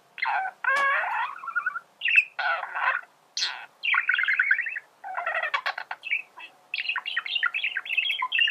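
A male budgerigar warbles continuously, mixing chattering notes, squeaky trills and short clicks in a rambling, fast-paced stream with no other sounds.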